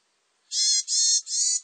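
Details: Varied tit uttering three rasping, nasal, buzzy notes in quick succession, each roughly a third of a second long, with a quiet background.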